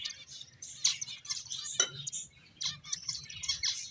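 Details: Finches at play give high, scratchy chirps and twitters mixed with a few sharp, sweeping squeaks, calling in uneven bursts over faint background hum.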